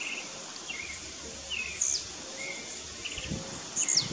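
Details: Rival blue-black grassquits (tiziu) disputing in Brazilian scrub: two sharp, high buzzy notes sweeping downward, about two seconds apart, over a constant high insect hiss and soft chirps from other birds.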